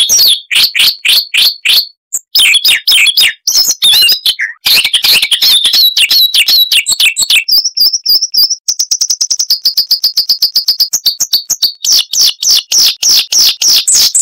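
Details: Siberian rubythroat, a small insect-eating songbird, pouring out a long, varied chattering song: scratchy mixed notes, then a rapid trilled series of high thin ticks, ending with jumbled warbling phrases, noise reduced.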